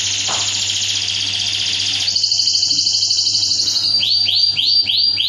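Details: Canary singing in a masteran recording used to train other canaries, tembakan-filled: a long dense high roll, then a thinner rattling trill, ending in four or five arching swooping notes, with a low hum behind.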